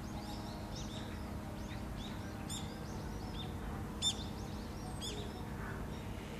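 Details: Great tit in Korea in spring, heard in the morning, giving sharp, ringing notes about every second and a half, over soft chirping from other small birds and a steady low rumble.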